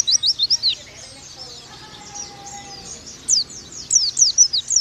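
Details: Oriental white-eye (pleci) masteran, a tutor recording meant to get young birds singing loudly: rapid high twittering of sharp downslurred chirps in quick bursts at the start and end, with a quieter middle stretch holding a faint low steady tone.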